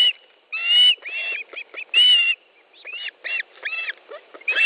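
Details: Osprey calling at a nest in Estonia during a July morning fish delivery: irregular high whistled yelps and shorter clipped chirps, about one every second.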